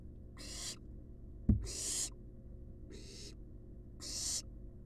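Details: Resting wild barn owl nestlings in a monitored nest box hiss in four rasping bursts, one brief knock heard midway, steady low hum beneath.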